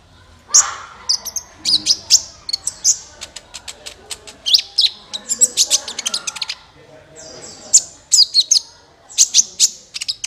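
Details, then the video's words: Sunbird call played as a lure for trapping, known locally as kolibri ninja: bursts of high, sharp chirps and twittering notes in clusters, with brief pauses and faint background murmur. "SUARA PIKAT BURUNG KOLIBRI NINJA MANTAP SUARANYA JERNIH"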